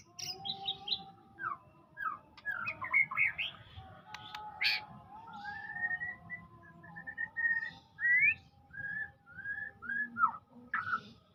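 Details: White-rumped shama song: a varied series of clear whistled notes, some rising and some falling, delivered in short phrases with brief pauses, over a steady low background hum.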